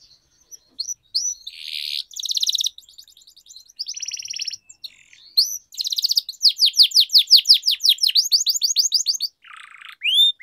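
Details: Canary used to train singing: buzzy rattling bursts and pauses, then a run of rapid descending high slurs, ending with a short buzzy note and an upward whistle.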